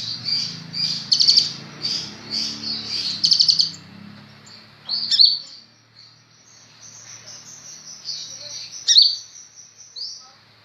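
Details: Sunbird called kolibri ninja, kept caged and lively in song: fast stuttering high trills in quick bursts at first, then sparser thin chirps and sharp ticks, with some low background noise.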